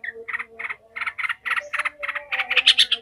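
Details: Yellow-vented bulbul, emotional and agitated, giving ngekek chatter used to toughen other bulbuls for fighting: about a dozen evenly spaced harsh notes, growing louder and brighter toward the end, over a quiet hum.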